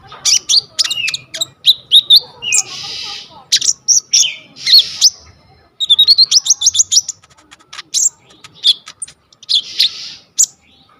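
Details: Coconut lorikeet in vigorous, full song, recorded on a vivo Y21 phone as a tutor recording for sunbirds: dense bursts of sharp high chirps and screechy, noisy squawks with rapid stuttering series, briefly pausing between phrases.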